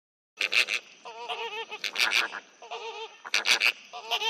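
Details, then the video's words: Flamingo chattering while feeding: bursts of nasal, honking calls with bright overtones, some quick stuttering series of short notes, coming in clusters separated by brief pauses. "Flamingo Chattering And Feeding Sound Effect"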